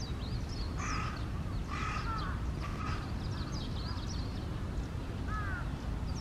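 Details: An Eastern spot-billed duck in Shonai Ryokuchi Park, Japan, gives three harsh, rasping quacks about a second apart, then one more, with thin high chirps and a steady low rumbling noise behind.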